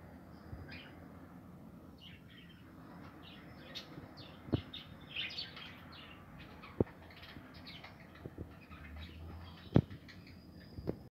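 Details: Nesting budgerigars in a home aviary, 2020, with steady low warbling chatter and scattered short chirps from several birds, plus occasional sharp clicks from the cage.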